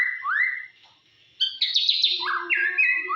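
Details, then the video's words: White-rumped shama song used as a lure to provoke other shamas: a rising slurred whistle, a brief pause, then a loud burst of buzzy, rapidly repeated descending notes and clear upslurred whistles, against a quiet background. "PANCINGAN MURAI BATU DIJAMIN LANGSUNG EMOSI"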